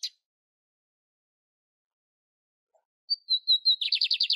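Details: Lined seedeater in nature: after a long silence, a few thin whistled notes lead into a fast, buzzy, rapidly repeated trill that runs to the end.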